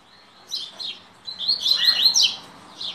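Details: Coleiro (Double-collared Seedeater) giving a short burst of high, rapid twittering notes that rise into a dense chattering flourish, with a faint background murmur.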